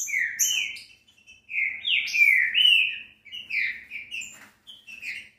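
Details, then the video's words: Song of the green-winged saltator, played to stimulate a captive bird into singing; loud whistled notes that sweep up and down, grouped in phrases separated by short gaps, with a few sharp high chirps. "ESSE CANTO FAZ QUALQUER TRINCA FERRO CANTAR EM MINUTOS CANTO PARA ESQUENTAR FOGUEAR SEU TRINCA FERRO"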